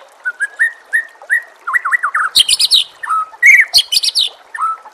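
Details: White-rumped shama singing as a master song for training captive birds: rich whistled phrases mixing mellow rising notes, quick wavering trills and bursts of harsh high chatter, with faint water in the background.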